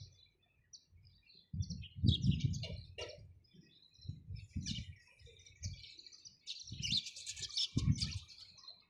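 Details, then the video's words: Sparrows give quick high chirps in uneven runs, rising to a thick burst of twittering near the end, over repeated low thumping sounds. "চড়ুই পাখির কিচিরমিচির শব্দ Chirping sound of sparrows"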